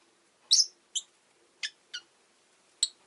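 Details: Two pet rosy-faced lovebirds huddled at an entrance make a series of five short sharp high chirps, the first loudest and buzzy, spaced irregularly over three seconds, with a faint low indoor hum.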